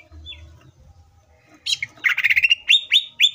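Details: Green leafbird song used as a lure for other leafbirds: after faint quiet notes, a harsh chattering burst turns into sharp rising chips repeated several times, with low background hum.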